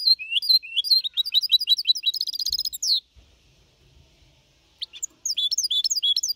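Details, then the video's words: Four-and-a-half-month-old goldfinch hybrid singing in Malaga-copy style to motivate other birds: a lively phrase of sliding whistles into a buzzy trill, a pause with faint thumps, then the twittering resumes. "Mixto de Jilguero Cantando Limpio (Copia Malaga) 2021 🎶 Tiene 4 meses y medio Para motivar pájaros"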